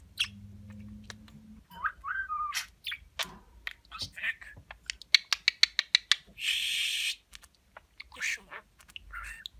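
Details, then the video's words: Pet talking budgerigar indoors, chattering imitated words heavy with kissing sounds: high, scratchy squeaks and a short whistled slur, then a quick run of about ten sharp smacking kiss clicks, a hissing burst, and more raspy chatter. "Öpücük Ağırlıklı Konuşan Muhabbet Kuşu"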